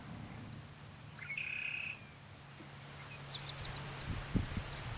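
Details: Scarlet-headed blackbird (Amblyramphus holosericeus) song at an exhibition: one clear, steady whistled note lasting about half a second, then brief high chirps, over a constant low rumble.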